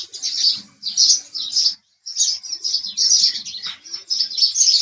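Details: House sparrow giving dense, overlapping bright chirps in quick bursts, broken by one short pause midway, with faint lower sounds beneath.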